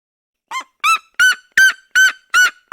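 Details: Red-legged seriema of the cerrado calling: a short run of loud, nasal yelps, each climbing slightly, spaced roughly every third of a second and growing louder.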